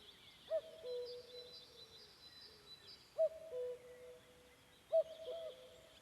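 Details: A common cuckoo (Cuculus canorus) on a May evening amid forest in Pärnumaa, Estonia, calls three times, each a clear two-note, falling 'cu-coo', about two seconds apart, over a faint high chorus of other birds.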